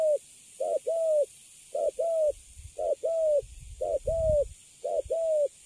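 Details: Recently caught spotted dove called Cấn Sấm, kept in a cage, coos calmly. Five evenly spaced phrases, each a clipped note followed by a longer slightly falling one, with faint low thumps.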